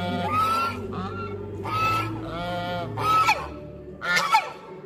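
Swans give a run of nasal, trumpeting honks, about five calls in five seconds, some rising and others falling, with a low steady hum underneath.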